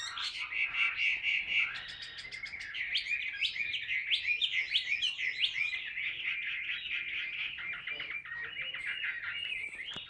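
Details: Captive Chinese hwamei from Vietnam, kept as a fighting bird that spreads its tail and sings while held in the hand, delivers a rich, rapid, unbroken run of varied whistled and chattering phrases, with bright rising and falling notes and several sharp high clicks early on.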